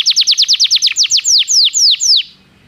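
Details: Belgian canary song used for training canaries: a fast run of bright, downward-sweeping whistled notes, about five per second, slowing into longer, louder sweeps before stopping abruptly into quiet.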